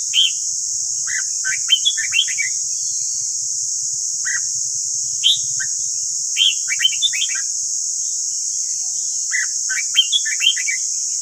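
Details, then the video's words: Morning song of a red-whiskered bulbul used to coach caged bulbuls: repeated short phrases of rapid, bouncy whistled notes, each a few seconds apart, over a constant high hiss. "Luyện giọng chào mào ép bổi ép má trắng"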